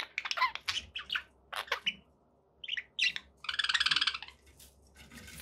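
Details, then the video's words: Pet budgerigars giving short chirps and squawky notes, then a rapid buzzy rattled trill near the four-second mark, over a soft low hum. "budgie sounds to keep your pets in happy bird company"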